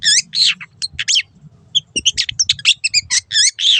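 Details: Master recording of Long-tailed shrike song for training caged birds: bursts of harsh, buzzy high notes alternating with curved whistled phrases, one short pause midway, faint low hum underneath.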